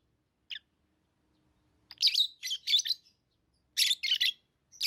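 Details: Lovebirds kept as tame pets, chirping in short harsh bursts: a lone note, then clusters of raspy, buzzy chirps after about two seconds and again near four seconds, with quiet gaps between.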